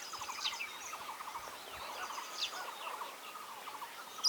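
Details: Oriental magpie-robin in India singing quietly: a steady run of low, warbled, rattling phrases repeated without pause, with faint higher chirps above and a soft outdoor background.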